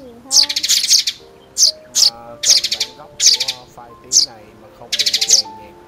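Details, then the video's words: Sparrows give bright, high chirps in quick bursts of three to six notes, about once a second, over a faint low hum, in a lure recording for net and glue trapping of sparrows. "Tiếng Bẫy Chim Sẻ Trong Xóm"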